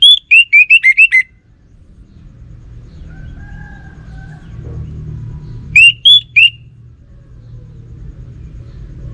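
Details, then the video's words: Orange-headed thrush repeating a bright whistled note about six times in quick succession, each note swooping slightly. After a long quiet gap with faint low noise, a second set of three notes follows. "Burung ANIS MERAH Lansung Nyaut Gacor Tanpa Henti"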